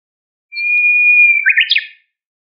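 A Japanese bush warbler sings one long, steady, pure whistle, then a quick falling-and-rising flourish of bright notes. No other sounds are heard.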